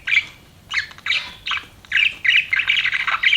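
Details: Pet budgerigar gives quick scratchy chirps in short bursts, about three a second, becoming a near-continuous chatter toward the end.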